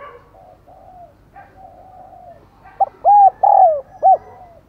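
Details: Calling decoy spotted dove luring others: after quieter distant cooing, a close phrase of a brief note and three hollow coos, the middle one long and sliding down, the final one short.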